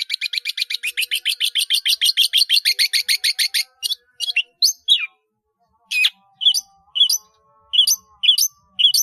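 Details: Long-tailed shrike in vigorous song full of varied phrases, a recording for training caged birds: a fast rattling run of harsh, high notes for nearly four seconds, then scattered squeaky chirps and sharp sweeping notes with silent gaps.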